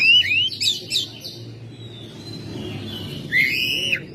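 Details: Oriental magpie-robin kept at home, singing in May: rising whistled slurs and warbled notes at the start and end, with a quieter stretch between, over a low background hum.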